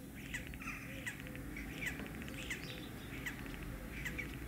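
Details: Common starling courting and mating: harsh squawky notes and short clicks repeated roughly every half second to second, with a few soft low whistles, set against constant low-pitched background noise.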